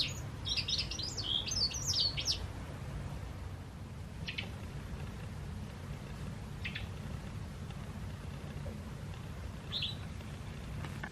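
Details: White wagtails, a pair watched as spring approaches, give a rapid burst of sharp high chirps over the first two seconds, then single short chirps spaced a few seconds apart, over a steady low rumble of background noise.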